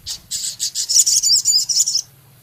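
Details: Male Javan cochoa singing vigorously in a song filled with minivet-style phrases and rough chattering. A fast series of about ten harsh, high, buzzy notes runs for two seconds over a low steady hum.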